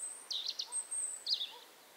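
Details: A European robin sings in late April in the Berezinsky Reserve, Belarus. Two quick, high, tinkling warbled phrases come with a thin, sustained high whistle drawn out between them; quiet background otherwise.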